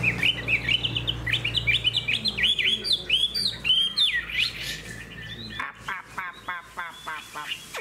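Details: A caged Hwamei with a spread tail sings a rapid, varied stream of sharp whistled notes and slurs, ending in a series of quick, clipped, repeated chips, with a low hum beneath.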